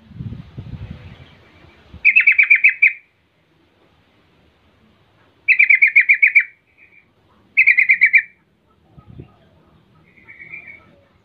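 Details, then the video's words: Taunting lure song of a yellow-vented bulbul, played to make other bulbuls answer at once. Three bright, rapidly pulsed chattering bursts, each about a second long, separated by pauses, plus a faint later twitter and brief thumps. "pancingan trucukan Rol mengejek Lawan bikin trucukan lain seketika langsung Nyaut Buka suara"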